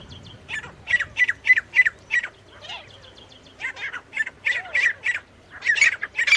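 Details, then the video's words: Partridge (teetar) pair, male and female, giving bursts of harsh, rasping call notes in two rapid series, with soft whistled, slurred notes in the quieter gap between them. "नर और मादा तीतर साउंड। Male teetar and female teetar voice."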